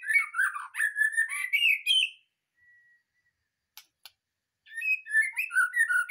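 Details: Caged white-rumped shama, newly taken from a breeding cage, delivers a dense rush of warbled whistles and scratchy chatter, pauses with a faint thin tone and two clicks, then resumes singing.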